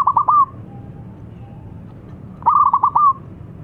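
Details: Zebra dove, a local bird singing eagerly as a lure for silent doves: two loud, quick, bubbling coo phrases, a short one at the start and a longer stuttering run after a quiet gap.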